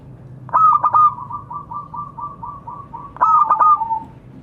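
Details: Zebra dove, a local bird, calling to others: a stuttering start then a long train of rapid repeated pulsing coos, followed by a second stuttered phrase, over low droning hum.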